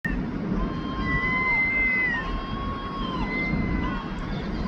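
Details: Gulls in London give long, drawn-out, plaintive mewing calls, each held over a second and gently rising then falling, over a steady low rumble of city traffic.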